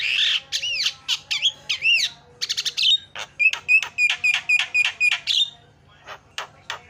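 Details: Javan myna delivering energetic song intended to set other mynas singing: opening wavering whistles and arched notes, then a quick run of crisp repeated chips with short whistled tails, fading to scattered sharp notes.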